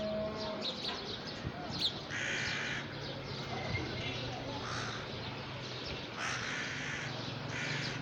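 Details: Crow at sunset with four hoarse, broad caws spaced a couple of seconds apart, against a constant low hum and faint voices.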